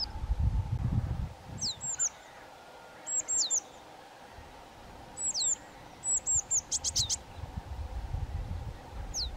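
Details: Piercing downslurred squeals from a pair of young White-tailed Eagles, given in paired bursts every second or two and ending in a few fast high strokes, above a background of wind.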